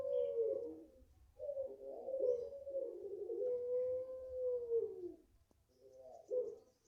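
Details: Long coo from a five-month-old Barbary dove of the puter pelung type, garden-raised: a sustained, even tone lasting several seconds that sags at its end, followed by a short second coo.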